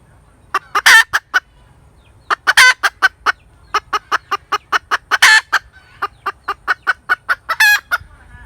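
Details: Hen chicken cackling: runs of short, sharp clucks broken by several long, loud, harsh drawn-out squawks, in a quiet setting.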